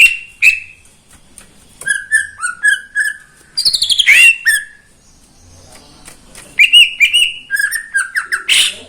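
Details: A caged greater green leafbird owned by a neighbour sings in the morning, giving varied whistles, a harsh rattling burst in the middle, then level and falling whistled notes in quick groups.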